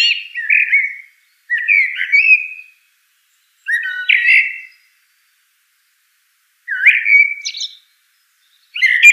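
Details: A common blackbird gives a run of short mellow whistled phrases, five in quick succession. Each phrase rises and falls around a low fluty pitch and ends in a brief squeaky flourish. No other sounds.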